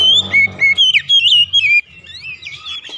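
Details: Brief oriental magpie-robin lure phrase for home-kept birds: a quick series of pure, looping whistles over a faint low hum, fading into softer notes.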